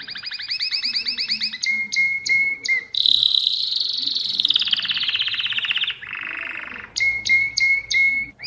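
A Mosaic canary sings a long, varied song of fast rattling trills, clear sharp whistled notes and a rolling high tour, delivered without pause.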